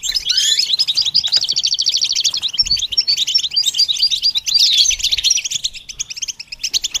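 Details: Sustained goldfinch song: a loud, unbroken stream of rapid buzzy trills and liquid twittering notes, with a short dip in loudness near the end.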